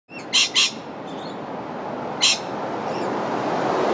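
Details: Rainbow lorikeet feeding on nectar from umbrella tree flowers in Australia gives three harsh, shrill screeches: two quick ones close together, then a third about two seconds later, over a steady hiss.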